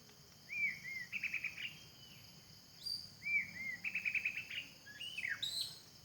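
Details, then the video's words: White-rumped shama in forest, two similar phrases each opening with looping whistles then a fast rattling trill, ending in higher slurred notes; loud cicada-like insect drone throughout. "Suara burung murai batu di hutan"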